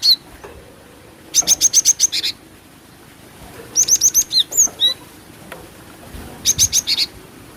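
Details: Female cinereous tit call played to lure birds, Indonesia: three bursts of rapid, bright, very high notes, six or so per burst, each burst lasting about a second, with a few downslurred whistles between and a quiet background.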